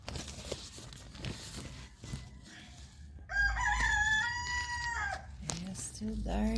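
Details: A rooster crows once at 5:04 in the morning while still dark, a loud drawn-out call of nearly two seconds that holds level then drops at the end; a man speaks softly before and after outside a camping tent.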